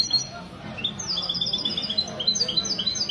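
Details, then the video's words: Mestizo goldfinch cross recorded at a café meet of a goldfinch club in Ksar El Kebir, Morocco, Sunday morning, February 2020. Short bursts of high, sparkling twittering notes in quick succession over quiet talk. "تغريد الميستو من جمعية لكوس للحسون الدهبي"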